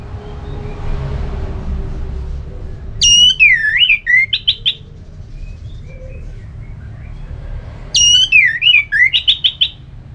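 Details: Orange-headed thrush singing in the ngeplong style, used to spur a listless bird into answering; two loud, varied whistled phrases about five seconds apart, each with sliding notes and a rapid trill ending, over low background hum.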